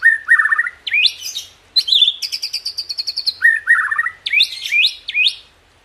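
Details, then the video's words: White-rumped shama (murai batu) song in a varied burst: rich whistled phrases rising and falling, a fast rattling trill in the middle, then more looping whistles and sharp upward sweeps, loud and clear against a quiet background. "Dahsyaaatt Tembakan & Isian Murai Batu // AmAzing Bird chirping like no tommorow"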